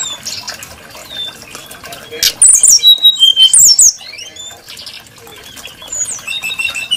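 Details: Brown-chested jungle flycatcher, kept for its varied and sweet song, gives a loud burst of rapid, chattering high whistles in the middle, framed by quieter thin warbled notes. A sharp click precedes it, with a watery background hiss.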